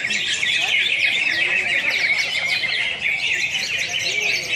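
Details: Greater green leafbirds competing in song at a national event in Pontianak, Indonesia, April 2016: unbroken shrill chattering and buzzy trills from many birds at once.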